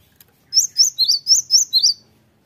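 Cinereous Tit song: six quick high, whistled two-note phrases repeated at a brisk even pace, alternating slightly higher and lower, with faint low background noise.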